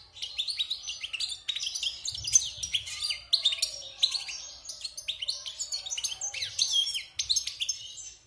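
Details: European goldfinch taken from the wild and caged six months after moulting, delivering a dense, continuous warble of rapid chirps, liquid trills and slurred high notes with almost no breaks.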